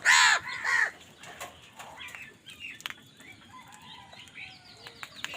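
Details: Crows fighting for food: two quick, loud, grating caws open the passage, then only faint chirps and scattered clicks follow.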